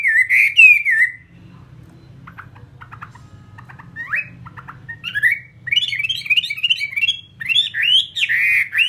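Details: Caged fighting Chinese hwamei: one loud warbled phrase, then several seconds of faint, scattered chips over a low hum, before the bird breaks into rapid, loud, rising whistled notes again.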